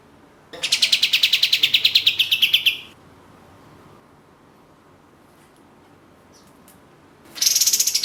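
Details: Orange-spotted bulbul (katem) in energetic gacor singing for songbird contests: a fast rattle of sharp high notes starting slightly higher and easing down over two seconds, a long quiet gap, then a new burst at the end.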